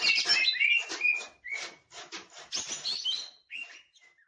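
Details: Tail-fanning green leafbird delivering a rapid, varied song of sharp chirps, buzzy trills and short whistles in bursts, with brief gaps between phrases and a slurred whistle fading at the end.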